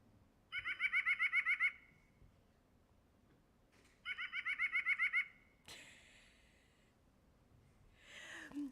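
A White-breasted Nuthatch gives two quick bursts of about ten nasal, laughing notes, three seconds apart; a sharp click and a brief rustle follow.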